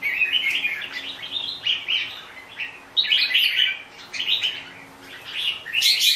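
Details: Red-whiskered bulbul, locally called chào mào bông, singing bright warbled phrases in bursts, some notes rising and others falling, with short gaps between groups and a faint low hum behind.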